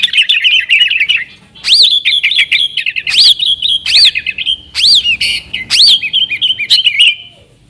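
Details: Yellow-vented bulbul in full song to lure wild sooty-headed bulbuls; after fast chatter, clear whistled notes that swoop up and down recur roughly every second, each trailed by short twittering flourishes.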